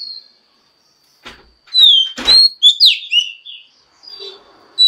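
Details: Female Oriental magpie-robin whistling to stimulate males: loud sliding whistles and a downslurred note mixed with several knocking, rattling thuds, with quiet faint sounds in the background.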